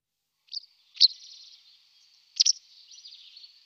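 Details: White wagtail (Motacilla alba) giving short, sharp high chirps, one single and two doubled, at about 0.5, 1 and 2.4 seconds. A faint thin hiss trails after each. Otherwise quiet.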